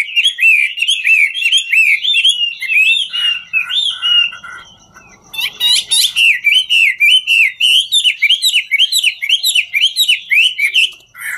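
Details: Chinese hwamei, a 'ngũ trường' singer, singing while dancing: a long, fast, rich run of rolling whistled slurs, several each second, a brief quieter scratchy pause midway, then resuming powerfully.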